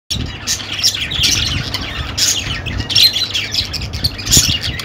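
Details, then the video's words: Budgerigars chattering together in a dense, continuous stream of scratchy squawks and short high chirps that overlap without pause, with a few brighter whistled notes near the end and a low background rumble. "Budgie Sounds for Lonely Budgies"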